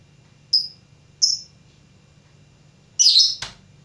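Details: Lovebird learning to sing: two clean high chirps about 0.7 seconds apart, then after a pause a longer rough, buzzy burst ending in a click, with a low hum underneath.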